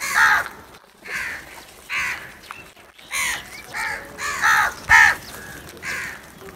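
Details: Repeated harsh caws from crows that are fighting and feeding, about eight rough calls spaced roughly a second apart, some louder and closer than others.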